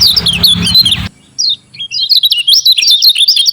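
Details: Javan white-eye lure to spur lazy white-eyes into song: a burst of warbling over rough noise, a short pause, one falling chirp, then a fast, continuous high twittering chatter.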